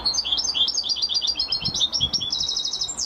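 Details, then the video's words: European goldfinch, a champion singer, delivering a continuous fast stream of tinkling, twittering high notes with varied quick trills, ending on a sharp rising-falling note. "Carduelis(Goldfinch) Champion amazing singing !"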